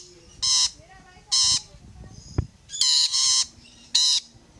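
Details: Rainbow lorikeets clambering along a fence: five harsh, rasping screeches, some in quick pairs, spaced roughly a second apart, with a single sharp knock midway and soft low rustling between calls.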